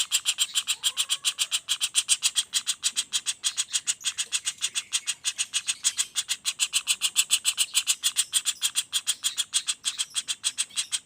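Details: Young common flameback giving an unbroken run of high, rasping notes. The notes repeat at a fast, even pace of roughly three and a half per second throughout, kept continuous for training songbirds.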